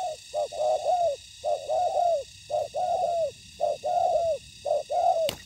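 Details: Spotted dove on a ground decoy trap, confronting a wild bird that came to fight. Loud, rich coos with falling slurs in rhythmic phrases, ending with a sharp click.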